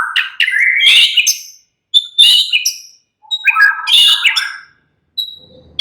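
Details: Murai batu, the white-rumped shama, in busy relaxed song: dense loud bursts of mixed whistles and harsh chatter, each about one and a half seconds, separated by brief silences, with a faint low rustle near the end.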